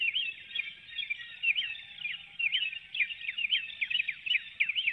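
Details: Nest webcam in Hanover, Pennsylvania, 12 April 2019 before dawn: a female bald eagle leaving her nestlings and flying out through the woodlot gives a steady series of high, sharply falling chirps, several per second.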